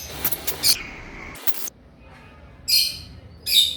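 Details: Male olive-coloured Indian ringneck parakeet, aged 3.5 years, Dhaka, Bangladesh, giving loud rough squawks: a cluster in the first two seconds, then two sharp screechy bursts a second apart, over faint background hum.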